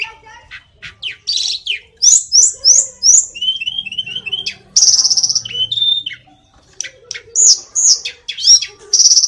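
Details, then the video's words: Hill Blue Flycatcher (tledekan gunung) delivering varied high song: upswept whistles, a series of short repeated notes, buzzy passages and rapid chattering phrases separated by short pauses. "tledekan gunung biar cepat gacor"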